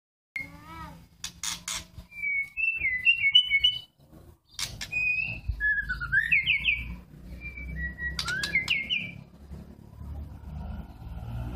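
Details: Young white-rumped shamas during a pairing process for mating, giving clear whistled phrases around mid-high pitch, with rising and falling slurs and quick trills, broken by sharp broadband clicks and a steady low background hum.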